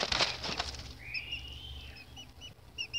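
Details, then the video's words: Baby chicks: a rustling flutter at the start, then one long drawn-out high peep that rises and slowly falls, followed by short chirps from other chicks. "Baby chicks"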